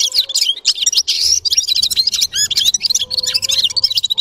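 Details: Sustained bright twittering from a red-fronted serin, or gulsir: rapid chattering trills and short upswept whistles packed tightly together.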